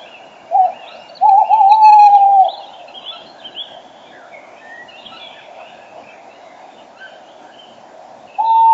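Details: Tawny owl, a male right beside the microphone while a female calls farther off, 06:34 on a March spring morning. A brief hoot, a pause, then a long wavering hoot, with a busy songbird dawn chorus between phrases.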